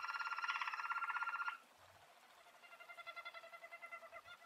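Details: Belgian roller canary singing as a model for young canaries: a loud fast rattling roll for about a second and a half, a brief near pause, then a softer pulsing roll that slowly swells.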